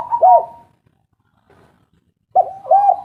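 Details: Spotted dove lure recording, local bird: short burry coos with a wavering rolled tone, separated by near silence, then another pair of coos.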